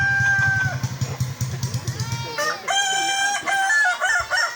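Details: During a Kukuak Balenggek crowing sparring match, a rooster crows loudly after low rumbling noise: a strong sustained harmonic call breaking into several stepped, rolling syllables, with other crowing behind it.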